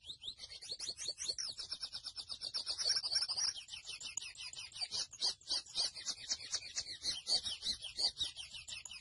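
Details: Grey seedeater (mochuelo) in continuous song, a long, fast stream of high, sharp chirps and buzzy trilled notes repeated several times per second, with little pause throughout.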